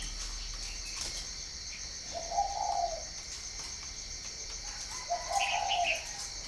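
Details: Two low, hoarse rolling coos about three seconds apart from a spotted dove at a Ba Vì breeding farm, northern Vietnam. The second is followed by short higher chirps from another bird. Insects whine steadily throughout.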